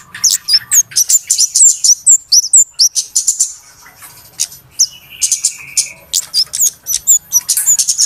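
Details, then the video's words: Flowerpeckers calling noisily in a recording used to lure birds for trapping: fast, high, thin chips and twittering squeaks, pausing briefly midway for a short buzzy trill before rapid ticking resumes. "SUARA PIKAT BURUNG KEMADE RIBUT/ BURUNG CABE-CABEAN"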